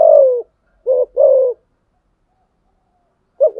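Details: A spotted dove challenging rivals: a long downward coo, a pause, a paired short-then-long coo, then silence before a new rising note starts.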